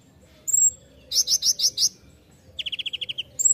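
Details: Ninja sunbird (kolibri ninja) master song for training songbirds: a thin high whistle, then a quick run of five sharp bright notes, a fast evenly spaced trill of about eight chips, and another high whistle.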